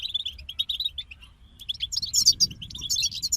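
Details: European goldfinches singing in a group: an even series of short chirps at a steady pitch, then a louder, higher, jumbled twittering burst.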